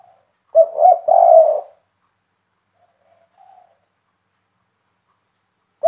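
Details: Spotted dove (tekukur, derkuku) with a big-voiced KUK 3 style coo, a tutor recording meant to make other doves answer. One short burst of low, throaty coos runs about a second, then near silence with a faint soft note. A new phrase starts at the end.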